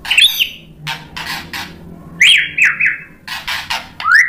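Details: White-rumped shama song meant to provoke other shamas: sharp upward-swept whistles and harsh squawky notes separated by crisp broadband clicks, with quiet gaps between phrases.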